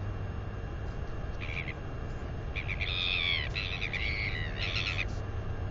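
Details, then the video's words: Northern royal albatross chick, 218 days old, back at its nest area doing wing exercises and squealing with delight; several bright, harmonic squeals, some rising and then falling, across about four seconds over steady low wind rumble. "Wingercising & Wheeing Away!"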